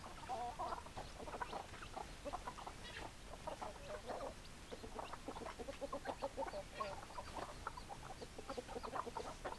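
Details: Flock of hens keeps up a continuous murmur of soft, low clucks, many birds calling at once in rapid overlapping bursts over a constant background rumble.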